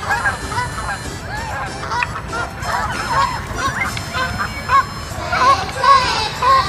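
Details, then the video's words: Flock of Canada geese flying southwest, giving a steady stream of overlapping nasal honks, loud and irregular, several birds calling at once against a busy background. "The Canada geese flying to the southwest/大鹅西南飞"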